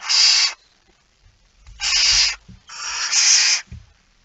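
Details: Barn owl at a nest during feeding, 05:28, 19 September 2019: loud breathy screeching hisses, the first single and the last two running nearly together, with low scuffling knocks in between.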